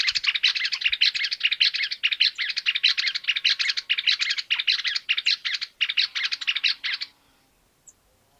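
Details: In Argentina, a Greater Wagtail-Tyrant delivers a long, energetic run of harsh, chattering notes in quick bursts for about seven seconds with only brief gaps, ending abruptly.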